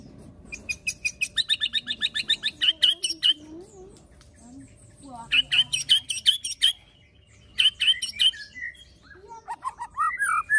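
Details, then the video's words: White-rumped shama singing a fighter song meant to stir other shamas: bursts of rapid, even high notes about three per second, separated by pauses, ending in rising slurred whistles. "MURAI BATU PASTOL FIGHTER PEMANCING EMOSI MURAI BIAR NGEPLONG"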